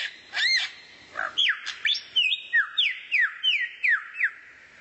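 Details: Rare bird song used as tutor material for white-rumped shama training: clear whistled phrases, then a rhythmic series of about eight sharply descending whistles, each roughly a third of a second apart.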